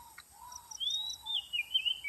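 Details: Oriental magpie-robin lure sound: a long whistled phrase gliding around mid-high pitch with wavering, slurred notes, preceded by softer low whistles and a faint repeated high ticking in the background.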